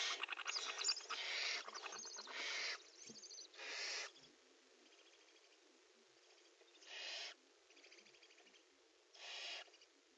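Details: Harsh, breathy screeches from barn owls in a nest box at prey transfer and mating, dense at first, then spaced, separate hisses several seconds apart with faint pulsing between.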